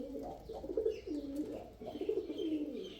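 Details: A male pigeon gives continuous low burbling coos, rising and falling in short wavering phrases that run almost without pause.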